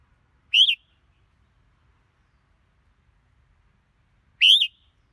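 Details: A red-whiskered bulbul sings two brief upslurred whistles, nearly four seconds apart, each ending in a faint trailing tone, with silence between.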